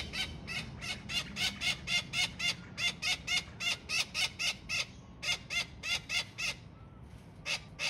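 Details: Young Australian king parrot at Kincumber gives harsh, broadband squawks in a rapid, steady series of about four per second, with brief breaks near the fifth and seventh seconds; low background rumble underneath.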